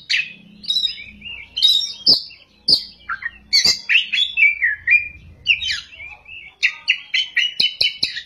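An Oriental magpie-robin pours out a varied, rich whistled song with sharp clicking notes. It ends in a rapid run of repeated high notes.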